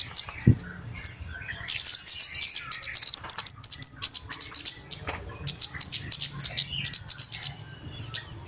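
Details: High, busy flowerpecker chatter used as a lure for trapping birds: rapid thin ticks and twittering about three per second, a brief run of short whistled notes in the middle, and a soft low thump near the start.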